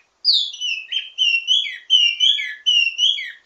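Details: Wambi mini, an Indonesian songbird, giving ledekan teasing song meant to train birds of its kind: clear whistled phrases sliding between high and mid pitch, five bursts about every half second, each with a brief descending tail.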